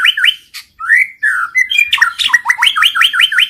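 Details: Loud, unbroken White-rumped shama song serving as a lure for singing and mating: slurred rising whistles followed by a fast, even train of repeated hooked notes.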